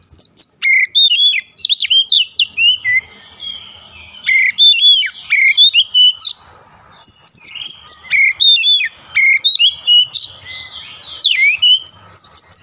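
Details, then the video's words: Kacer, the oriental magpie-robin, in daily therapy for fast long rolling song, pours out varied whistles, chirps and steep rising slurs in dense runs, broken by two brief quiet gaps. "KACER CEPAT NGEROLL PANJANG"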